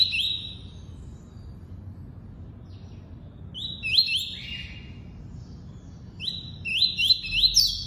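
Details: Double-collared seedeater, tuí-tuí song type: a flat whistled note, a pause, then clusters of rising-and-level whistles given in quick succession, each step slightly higher, over a faint background hum.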